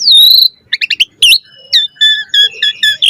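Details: Asian pied starling singing energetically while puffing up, with a varied chattering song: a long high whistle sliding down, a quick burst of paired chirps, a sharp rising note, then a run of short clear whistles.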